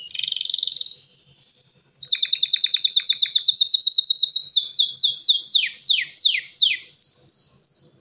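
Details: ['Mating song of a male canary ready to breed: a harsh buzzy burst, a long rapid trill with low rattling undertones, then slower, widely spaced falling whistles.']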